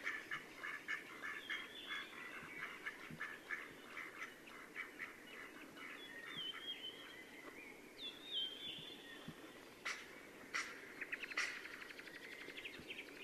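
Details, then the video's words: Courting Mallard drakes at sunset near Yelno, Novgorod oblast, Russia, on 8 April 2015 give a run of short, raspy, rapidly repeated calls, then a few thin rising whistles and sharp splashy notes near the end. "Свадьбы (голоса) крякв Anas platyrhynchos"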